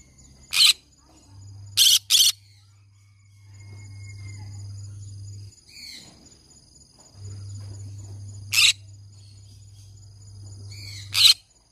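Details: Green-cheeked conure uttering short, harsh shrieks, single and doubled, scattered through the recording, with a quiet descending whistle and a low steady hum behind.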